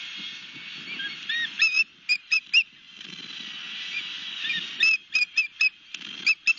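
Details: Wild osprey at its nest with a fish, Barnegat Light, Long Beach Island, New Jersey, evening of 31 March 2021. Clipped whistled chirps come in irregular bursts, some notes gliding, over a low background rumble.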